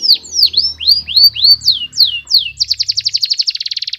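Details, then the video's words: A canary sings aggressively, with a series of clear, looping downslurred whistles about every quarter second. These give way to a quick, accelerating staccato trill. A soft low murmur sits beneath. "KENARI BOJO GALAK"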